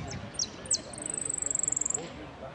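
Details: A saffron finch at a song contest on 25 September 2016 gives a few high, sharp descending chirps, then a very high, fast, even trill for about a second, over a faint murmur of background noise.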